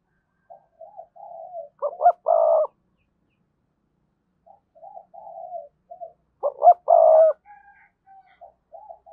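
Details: Decoy spotted dove singing in a strong 'thúc' voice: quiet, wavering introductory coos build into a loud, low double coo. The phrase is given twice with a pause between.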